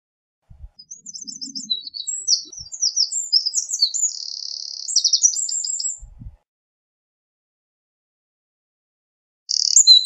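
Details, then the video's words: A Eurasian wren delivers a long, shrill song of quick twittering notes and buzzing trills for around five seconds, then silence, with another burst starting at the end. "Eurasian Wren Bird Song, Call, Chirp, voices, Sound - Chochín Común Canto - Troglodytes Troglodytes"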